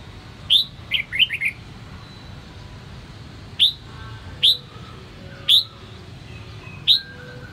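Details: Red-whiskered bulbul of the Sông Kon type in song training, giving bright, bubbly chirps: a quick run of four, then single sharp notes about once a second over a faint hiss.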